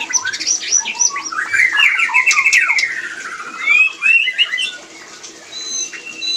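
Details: White-rumped shama mating sound aimed at getting other shamas to breed: rapid chattering trills and descending whistled phrases, fading to softer high notes at the end over background hiss.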